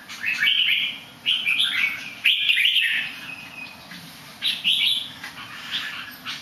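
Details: Bird that sings nicely but somersaults a little gives clear whistled phrases in short bursts about every second or two, some sliding upward, with quieter gaps between.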